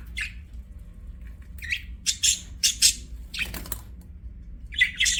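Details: Budgerigar chirps in short separate bursts: brief scratchy, buzzy squawks spaced irregularly about half a second to a second apart, with quiet gaps and a faint hum.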